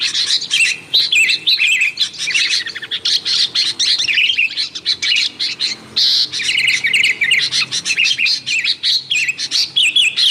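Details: Busy sooty-headed bulbul calling, lure audio for wild bulbuls: a crowded run of chirps and liquid slurred notes from several birds, nearly continuous with a few short breaks.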